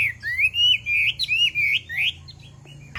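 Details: Chinese hwamei female urging a male to sing, with a fluid series of rich rising and falling whistled phrases, each about a quarter second, fading into quiet.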